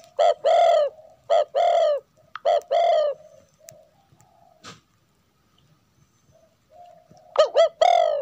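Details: A female spotted dove coos to stir a male to sing, giving three low, resonant phrases of a brief note and a longer sustained coo, then a pause before another phrase near the end.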